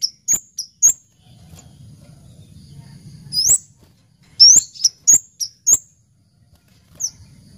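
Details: An orange-headed thrush, recorded as a lure call, gives high, thin, sharp chirps and quick upswept whistles in irregular bursts, with a faint low hum underneath.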